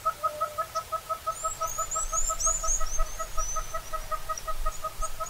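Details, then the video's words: Southern red-billed hornbill (Tockus rufirostris) in Kruger National Park giving a rapid, steady, insistent series of clucking, hollow notes, about two per second, while higher twittering birds chatter in the background. "Southern Red-billed Hornbill (Tockus rufirostris) Bird Call"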